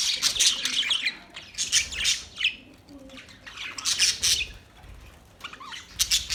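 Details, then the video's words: Australian parrots, October 10, 2023: bursts of shrill, grating squawks in quick irregular clusters, separated by brief quieter gaps of soft chatter. "Beautiful Australian parrot sounds | Parrots talking sound"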